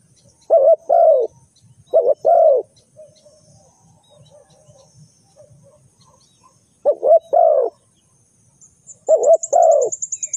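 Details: Spotted dove decoy for bird trapping repeats its cooing phrase four times, each a pair of hollow coos, spaced about two to four seconds apart, with faint low murmurs between and a thin, rapid high chirping near the end.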